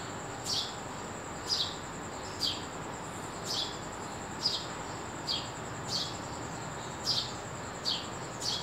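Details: Sparrow calling in the early morning: short, sharp chirps repeated steadily about once per second, each a brief descending note, over a constant thin high-pitched hum and soft background noise.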